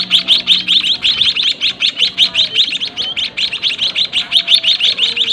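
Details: Captive White-headed munia nestlings being fed by the parents in a cramped breeding cage: a steady stream of sharp, high, scratchy chirps repeated nearly three times a second, with a soft low drone in the background.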